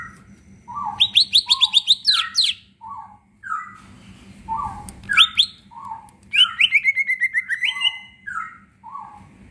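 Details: A leafbird delivers energetic 'gacor full isian' song, played to coax lazy leafbirds into voice. Low whistled notes repeat steadily beneath bursts of fast, high stuttering trills and a descending slurred phrase, with faint low hum behind.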